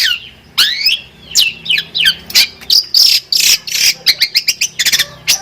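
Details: Singing long-tailed shrike, described as a champion bird with full varied song, giving harsh squawks, swooping whistled notes and noisy buzzy bursts in quick succession, recorded close.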